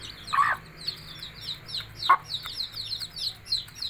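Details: Hen calling her chicks to eat: two short, low clucks about two seconds apart over a steady wash of high, thin chick peeping.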